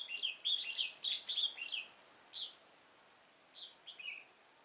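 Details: Red-whiskered bulbul used as a decoy, singing to lure wild birds into a trap at Chua Huong, recorded 10 March 2018; bright whistled phrases in rapid bursts during the first two seconds, then short scattered notes after a pause, quiet background.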